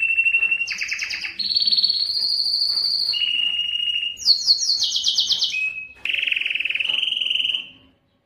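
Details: A Belgian canary's breeding song, meant to stir females to mate and to train other birds. It runs through a string of distinct rolled tours, jumping between low and very high pitches, each held a second or more, with brief breaks.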